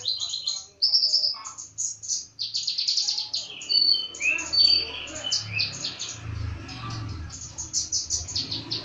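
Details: Vigorous songbird delivering a long varied medley: quick high chirps, rapid twittering runs and falling whistled slurs, repeated in dense bursts with a faint low rumble.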